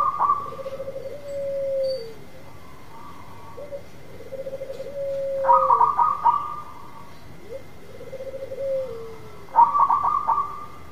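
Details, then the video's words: Local zebra dove singing to lure a silent dove into song: repeated phrases of a higher stuttering burst followed by a lower, level cooing trill that drops at its end, with a faint steady tone throughout. "Perkutut lokal gacor memikat perkutut yang macet bunyi"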